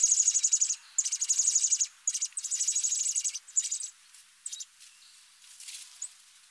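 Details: American robin nestlings in the nest, hatched in early July, make very high, thin, rapidly pulsing calls in bursts about a second long that tail off into a few scattered chirps.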